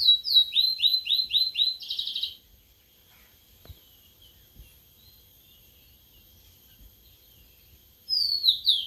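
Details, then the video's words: Sulingan laut (tledekan laut), a bird kept for only three days and already starting to sing. It gives a fast run of high whistled notes, each sliding downward, about four per second, ending in a buzzy burst. After a pause, the run starts again. "Baru Dirawat 3 Hari Sudah Mau Ngeplong🥰🥰🥰 Burung Sulingan Laut/Tledekan Laut"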